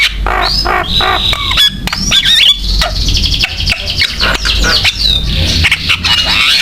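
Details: Lively Javan myna song used as a lure and model for other mynas, mixing rising whistles, rattling buzzes and harsh chattering notes in a continuous, busy stream over a low hum.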